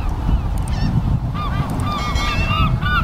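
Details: Seagulls in an afternoon flock giving sparse, clear arched mewing cries, a few birds calling in turn over a strong low rumble of wind or water.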